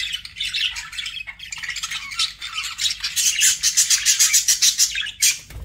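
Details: Budgerigar warbling turns into a rapid run of evenly spaced, bright chirps, about two per second, before one final loud squawk.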